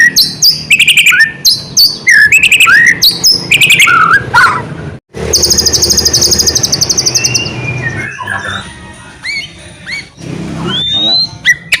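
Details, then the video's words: Lively white-rumped shama song aimed at getting lazy shamas to sing: loud rich whistles, a short silence, then a long rapid buzzy rattle, followed by scattered upslurred whistles. "MURAI BATU GACOR ..TEPAT UNTUK PANCINGAN , MURAI BATU MACET KURANG GACOR,AGAR BUNYI LAGI"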